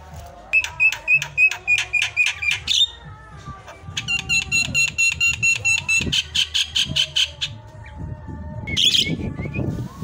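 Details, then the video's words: A Javan myna in varied tutor song sings fast bursts of sharp, clicking notes, about four per second, in varied phrases, with a soft low rumble behind. "kicauan paling merdu dan variasi, jalak kebo"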